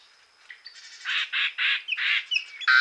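A yellow-headed blackbird gives a run of harsh, grating rasps, about three a second, mixed with thin high whistles and a final sharp screech.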